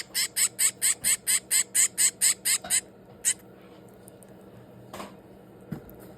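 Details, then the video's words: Baby finch, 22 days old, being hand-fed indoors, gives a quick, regular run of high, rasping begging squeaks. It ends after about three seconds with one more squeak, followed by faint handling noises. "Hand feeding baby birds day 22"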